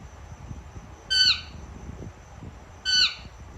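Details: Indian ringneck parakeet, a female kept as a pet, calling as she eats: two loud, clipped squawks under two seconds apart, each a quick rasping burst, with quiet low tapping in between.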